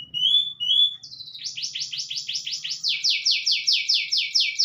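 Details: Panda canary, a kept bird trained with white-rumped shama phrases, singing: two clear rising whistles, then a long fast rattling trill of high downward-sweeping notes, about two per second, growing louder.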